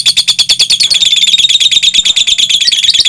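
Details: Two competing fighter lovebirds, their singing lasting more than two minutes. Piercing, fast chatter repeats steadily, each note sharp and high, blending into a continuous trilling rattle over a quiet low hum.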